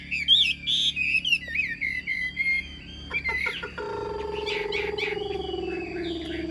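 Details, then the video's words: Chinese hwamei caged in Vietnam, noted for singing well, utters a few seconds of rich, twisting whistled phrases before a steady droning tone and clicking noises take over. "Hm 2896 - Bóng bộ đẹp, lông xanh mắt méo, hót tốt bài bản"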